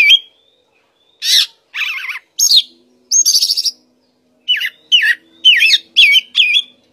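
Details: Oriental magpie-robin singing: a buzzy trilled phrase, high rattling notes, then a run of repeated looping whistles, all bright and high-pitched against a quiet background.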